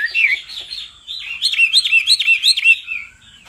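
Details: After a blurred warble, a male hwamei, excited by a female's calls, delivers a quick run of bouncing, looping whistles before tailing off.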